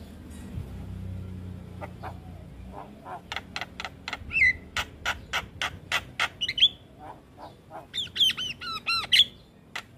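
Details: Javan myna singing to train young mynas: after a faint low rumble, a rapid series of sharp clicks, with interspersed downslurred whistles and a laddered buzzy phrase near the end.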